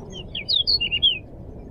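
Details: Crescent-chested babbler in full, lively song, recorded as a lure and master tutor for training songbirds: a quick run of short, high whistled notes, some sliding downward, over a steady low hum.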